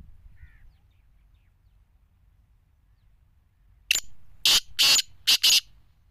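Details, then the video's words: Sindhi-strain black francolin calling after several seconds of near silence. One loud, buzzy five-part phrase: a short opening note, two drawn-out grating notes and a final quick pair, lasting under two seconds. Faint low background hum. "Chakre vale sindhi nasal ke kaly titar | چکری والے سندھی نسل کے کالے تیتر"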